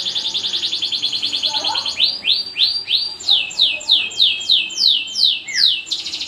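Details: Lively 'kenari gacor' canary song: a rapid high trill breaks into a series of loud downward-swooping whistled notes, roughly three per second, with one lower slurred note near the end, then a quick trill again.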